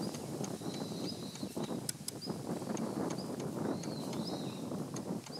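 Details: Male long-tailed rosefinch giving its non-song ground calls, filmed 29 December 2013: short thin high whistled notes, some slightly rising, scattered at irregular intervals over loud wind and low rumbling background noise.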